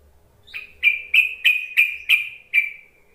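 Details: Yellow-vented bulbul calling, used to lure other bulbuls into singing: a series of seven loud, clipped whistled notes, each sliding slightly downward, repeated about every third of a second, with faint low rumble behind.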